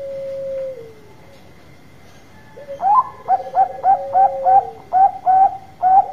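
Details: Loud, lure-style song of a Bangkok-type zebra dove, meant to prompt quick answers: a brief falling purr, a pause, then a rising note and a long chain of sharp, repeated short coos, roughly two per second.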